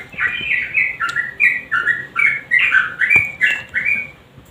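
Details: Yellow-vented bulbul singing to prompt silent birds: bouncy, mellow whistled notes delivered in quick pairs and trios, rising and falling, with a faint click near the end.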